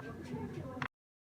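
A parrot speaks one brief, voice-like phrase of under a second, mid-pitched with a sharper note at the end, then stops abruptly.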